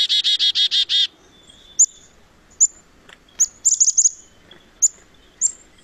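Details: Black-capped chickadee, a year-round resident in Quebec, calling its name. A fast run of six buzzy, harsh 'dee' notes opens, followed by scattered high, thin chips and short whistled notes in a quiet setting.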